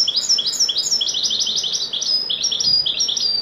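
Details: Continuous wedani-style song from a European goldfinch: hurried, high, chattering twitters and thin whistled slurs running without pause throughout.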